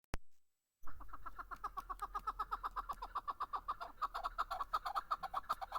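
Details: Chukar partridge, called kabki mast or keklik, recorded in Darvoz, Tajikistan, in 2020: after a brief click and a pause, a long run of rapid, rhythmic clucking chuk notes, several per second, steady and building over low background rumble.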